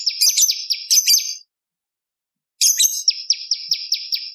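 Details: Lure and tutor song of the bar-winged prinia: two bursts of fast, scratchy chattering at high pitch, split by a silent gap of over a second.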